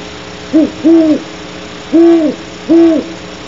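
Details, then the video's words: Great horned owl hooting close by at Starr Ranch, 2:30 am, 10 January 2013: a deep, soft series, a short hoot, a longer one, then two more evenly spaced, low and mellow, over quiet hiss. "GHOW close nearby hooting"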